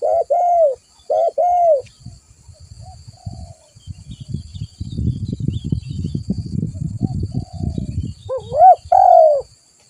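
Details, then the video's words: Spotted dove calling, recorded as a trapping lure: mellow hooked coos open and close the stretch, while the middle is filled with low thumping and handling noise. "Suara burung tekukur gacor"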